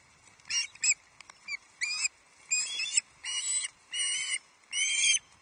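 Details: Juvenile male Osprey shrieking at Loch Arkaig on 31 July 2023 as the first fish, a headless trout, arrives; a few short faint notes, then longer harsh piercing shrieks spaced about half a second apart.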